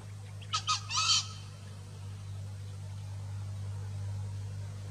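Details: A wild male green junglefowl gives a short, hoarse crow: three quick rasping bursts within about a second. Silence follows, over a steady low hum.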